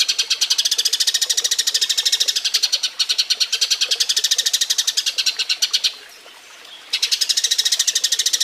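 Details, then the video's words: Eurasian tree sparrow giving its mating call, used as a model recording for training songbirds: a long, fast chatter of bright, even chirps, roughly three per second, broken by one brief pause before resuming. "Masteran Burung Gereja Kawin"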